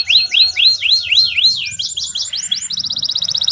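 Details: Canary song for song training: loud looping up-and-down whistled notes repeated about four per second, followed by a very rapid, even high rattle.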